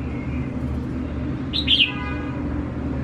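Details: Tame red-whiskered bulbul singing after a week of taming: one short bright whistled phrase with a quick rise and fall, set against a steady low rumbling background.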